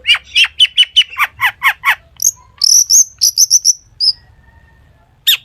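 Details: A long-tailed shrike sings hard with borrowed phrases, played to coax other shrikes into song: a quick run of about ten descending chirps, then a series of thin, high, pure whistles, and a final sharp note.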